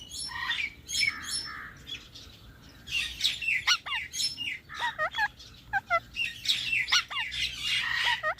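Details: Parrot said to be talking, giving a busy stream of harsh chirps and short rising-falling squawks, some notes hooked and repeated, with a faint low hum underneath.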